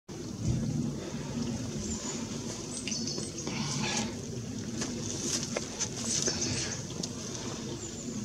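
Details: Japanese waxwings (Bombycilla japonica), recorded 12 February 2018, give very high, thin, sibilant trills, repeated over a steady outdoor rumble.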